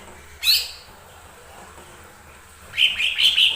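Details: Song of a lesser green leafbird meant to provoke other birds into song: a single sharp high note, a long quiet gap, then a run of quick whistled, warbling notes.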